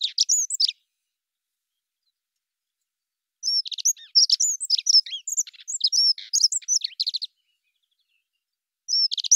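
A Dunnock gives a high, quick, jingling warble lasting several seconds, with fragments of song just before and after, against a quiet background.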